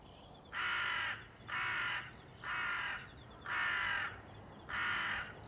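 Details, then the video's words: Crow calling on 30 September 2020: five hoarse caws about a second apart, evenly spaced and of similar length, with faint pulsing insect sound underneath. "crow ,カラス,까마귀"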